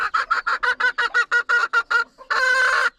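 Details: Hen shut inside a coop to lay an egg, giving her pre-laying call: about eleven short, evenly spaced clucks in quick succession, then a brief pause and one longer, harsher drawn-out squawk.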